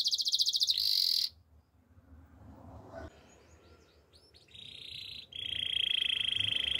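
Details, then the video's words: Canary opens with a loud high pulsed trill, falls almost silent amid soft background noise and a few faint notes, then resumes with a steady, lower, buzzy trill. "Beautiful voice of canary bird | The best canary sounds"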